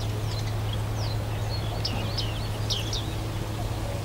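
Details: At Rietputten, South Holland, juvenile bearded reedlings of both sexes utter a loose run of sharp, high, bending ping notes, briefly clustered near the end, with a steady low background hum throughout.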